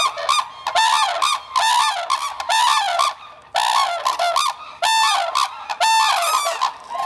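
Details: At the Akan International Crane Center, Japan, on 9 December 2022, two red-crowned crane parents declare territory with a duet of ringing, trumpeting honks in rapid bursts, with short pauses between phrases, while their chick keeps eating.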